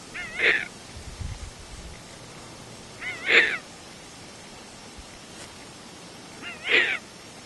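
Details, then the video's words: Young captive tawny frogmouth, the youngest of its group, calling for its food: three short, wavering, squeaky begging calls about three seconds apart, with a faint low rumble early on. "Tawny Frogmouth Calls for Food"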